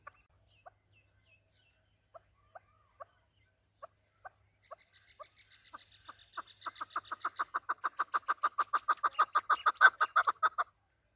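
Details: Chukar partridge of native Afghan type, used by hunters: isolated soft clucks at first, then the notes quicken and build into a long, loud, rhythmic chattering series of over thirty harsh calls before stopping.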